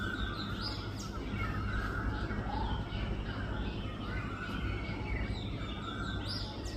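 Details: Rufous treepie feeding, giving short calls and downward-sliding phrases, with higher chirps from other birds and a steady low rumble of background noise throughout.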